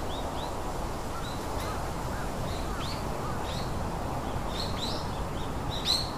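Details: Short high chirps from three young birds in their nest, spaced irregularly, each a brief upward or downward flick, with a constant low rumbling hiss underneath.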